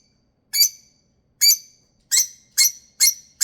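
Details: Pet lovebird, a female, protesting at bedtime in a tantrum as she wants to sleep: six piercing, high chirping squawks, widely spaced at first and then coming faster and closer together.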